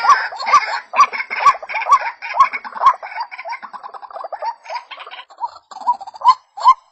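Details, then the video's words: A White-breasted waterhen gives a run of short, rising notes, which breaks into a muddled, rattling stretch before the notes return near the end. "Pullakodi sound waterhen birds voice | Jal morgi ki awaz"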